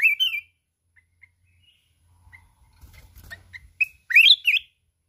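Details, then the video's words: Mountain red-whiskered bulbul singing combatively while flapping its wings: a warbled opening phrase, sparse soft chirps over a low rustle, then a loud tumbling run of looping whistles. "Chào mào núi hót cực xung, đập cánh liên tục"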